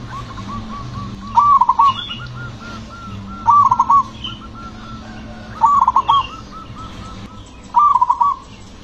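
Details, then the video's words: Booming-voiced, aggressive zebra dove whose song rhythm provokes other doves to sing. Four bubbling trilled coo phrases come about every two seconds, with quieter notes between them and low hum underneath. "perkutut ini suaranya bikin GREGETAN memancing bunyi perkutut lain"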